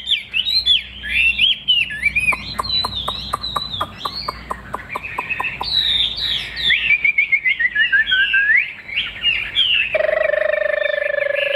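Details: Chinese hwamei, kept caged and said to sing loudly and well, delivering a long, varied whistled song of swooping phrases, rapid clicks and runs of descending notes, with a man's voice at the end.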